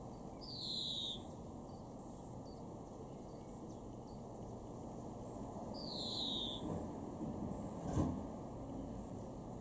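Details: European greenfinch in a Weener garden, East Frisia, northwest Germany, May 2021, repeating a buzzy descending wheeze twice, roughly five and a half seconds apart, with a brief thud and steady low noise behind.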